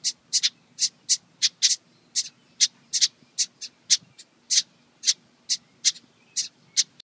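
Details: A junco at a nest in a birdhouse gives sharp, high, clicking chip notes at an uneven pace, about three a second, with nothing else heard over a faint low hum.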